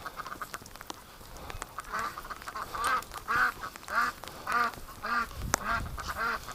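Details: Domestic ducks in pouring rain and deep snow in winter, being herded while one is caught for care, quack in a steady series, one harsh nasal quack roughly every half-second, over wind noise and a man's voice.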